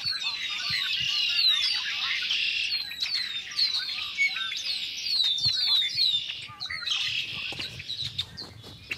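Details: Many Red-winged Blackbirds in a spring flock, early March 2010, calling and singing; repeated sharp downslurred whistles over a busy chattering background, with brief clicks and knocks.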